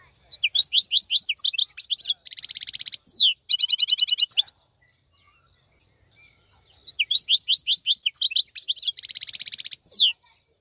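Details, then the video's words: Wild European goldfinch singing during the moult while other birds stay silent: rapid twittering phrases of sliding high notes with dense buzzy trills, a silent gap mid-clip, then the song resumes. "تغريد افضل من كل تغاريد طائر الحسون الخلوي"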